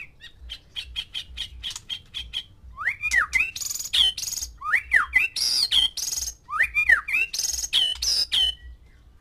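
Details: Male white-rumped shama caged with six females to stir mating: rapid clicking bursts open, then loud, rich whistled phrases with swooping notes and buzzy trills, repeated in rhythmic bursts; faint low hum behind.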